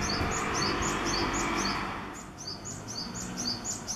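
A Japanese tit sings a fast run of high, thin paired notes, about four a second, over steady broadband background noise.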